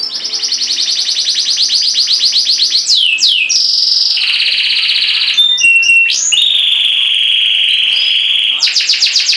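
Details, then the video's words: A caged canary singing: long sustained trills of rapidly repeated notes, sweeping slurred whistles, a steady high rolling tour, a brief chattering burst, then more fast-pulsed trilling, loud and continuous throughout. "CANARY Bird Singing In The Cage"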